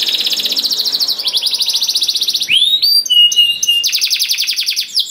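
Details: Canary singing to draw other canaries into song: rapid buzzing trills, a sudden rising sweep into flat tinkling notes, then another fast trill.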